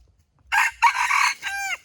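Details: Red junglefowl rooster giving a single crow: a harsh, loud three-part call, two rough bursts followed by a drawn-out, falling final note, lasting just over a second.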